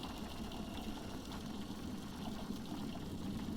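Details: Idling engine chugs steadily over a wash of water noise; no animal sounds.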